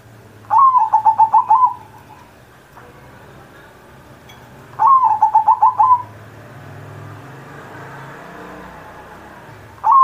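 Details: Pet zebra dove singing as a master for teaching other doves: a rhythmic coo phrase of rapid stuttering pulses ending in a held note, repeated twice about four seconds apart, with a low hum behind.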